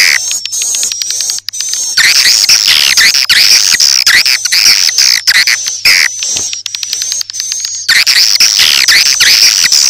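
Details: Swiftlet-house lure of edible-nest swiftlets for morning, noon and night: continuous rapid buzzy chirping and squeaky twitters, about two notes a second, with a constant shrill whine on top.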